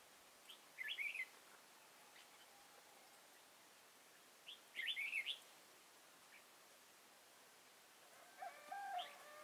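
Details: Red-whiskered bulbul song recorded while trapping at Kim Bôi, Hòa Bình on 6 April 2017, decoy bird in use; two brisk chirpy warbled phrases roughly four seconds apart, then a different lower, steady whistled call near the end.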